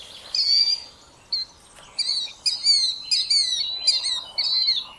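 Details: Killdeer (Charadrius vociferus), a large plover of North America, giving a series of about nine shrill, loud piping notes with ringing overtones, some drawn out and others short and clipped, irregularly spaced over a quiet background.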